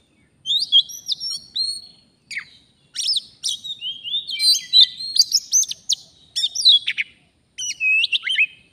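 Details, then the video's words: Oriental magpie-robin, a wild forest bird singing continuously during a trapping session. It delivers a lively, varied stream of whistles, with buzzy chips, upslurs and downslurs packed into long phrases and short breaks between them. "Kacer, begini jadinya kalau tidak di ajak duel fighter || full gacor"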